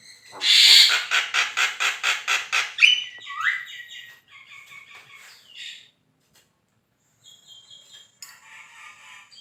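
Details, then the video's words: Black-winged starling song used as training material for songbird competition birds: a fast run of loud harsh chattering notes repeated about twice a second, then a rising whistle and softer scratchy, twittering phrases with brief pauses. "JALAK KEBO GACOR"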